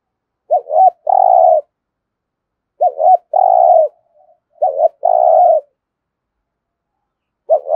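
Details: Spotted dove kept as a decoy for wild doves, delivering its coo phrase three times in a steady series, roughly every two seconds: a quick rising-falling double note followed by a long, burred, level coo, with a fourth phrase just beginning.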